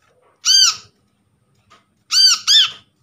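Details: As a lure for non-calling sunbirds, a wild-caught untrained brown-throated sunbird gives a rasping arched chirp, then after a pause a fast doubled chirp, all loud and close.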